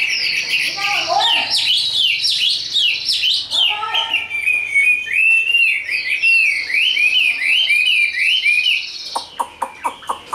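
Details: Tame, large-bodied caged Chinese hwamei in fighting display, delivering loud, rich whistled song of rapid slurred rising and falling phrases that run almost continuously, then ending in a few sharp clicking notes.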